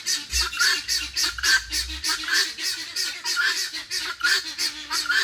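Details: Female guineafowl at a farm animal sanctuary beside a creek gives harsh, grating calls roughly once a second, a distant male answering her, with soft background music.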